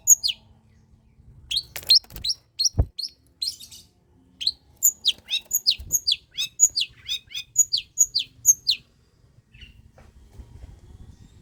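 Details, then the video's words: Energetic pastol gacor song of a long-tailed shrike, meant to provoke idle shrikes into singing. Scattered shrill chirps build into a fast, dense sequence of sharp falling notes, with a single knock midway, then fading into quiet hum. "Suara Cendet PASTOL GACOR || Pancingan Cendet Malas BUNYII || Burung Cendet GACOR"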